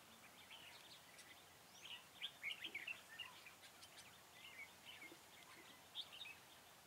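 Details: Red-whiskered bulbul singing as a decoy at a trapping site on 4 February 2017: scattered bright, warbled notes around the middle, over a steady outdoor hiss with other faint chirps.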